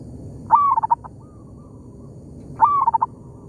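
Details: Wild zebra dove in an oil palm plantation, answering a decoy bird, gives two soft cooing phrases about two seconds apart, each a rising note then a quick stutter of short coos, over a faint low rumble.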